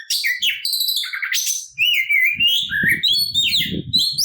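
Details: Oriental magpie-robin in fighting song aimed at provoking other birds; stepped whistled notes, a sharp upslurred whistle, then long smooth wavering whistles over low rumbling background noise.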